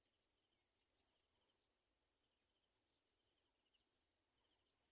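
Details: Olive-backed sunbird mother near her small fallen chicks unable to eat; paired shrill high notes at the start and the end, with a soft run of faint chips between.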